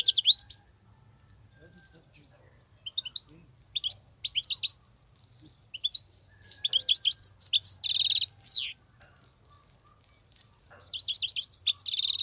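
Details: Wild European goldfinch, an excellent wild singer with 'betbetat' phrases: short bursts of sharp, high twitters and tinkling trills separated by silent pauses, with one buzzy rattle in the middle and a final lively flurry.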